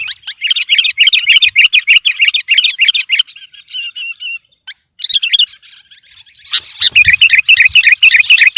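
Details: Competition-style gacor song of a sooty-headed bulbul aimed at rivals, with fast repeated warbled notes, a clear falling whistle and brief pause midway, then renewed rapid chatter.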